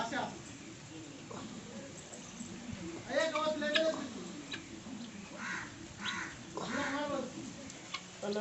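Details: Guineafowl near a house give harsh, ringing calls in short bursts, a loud one midway and more toward the end, with murmured voices and room noise underneath.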